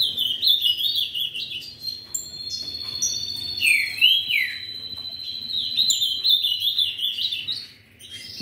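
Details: An ultramarine grosbeak from a breeder sings sustained whistled and warbled phrases with a quick rising then falling swoop midway, over steady high chirping from nearby birds.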